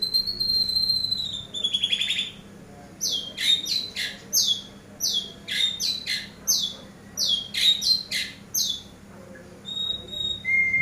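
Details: Eurasian tree sparrow, a master bird for training, opens with a thin whistle and a brief rattle, then gives a long run of sharp, downward-slurred chirps, several per second, over a low steady hum.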